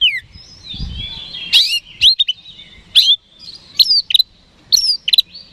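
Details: Kacer, the oriental magpie-robin, in a provoking song for rival birds: sliding whistles open, then clusters of sharp, clipped notes repeated about once a second, with a brief low thump near the start.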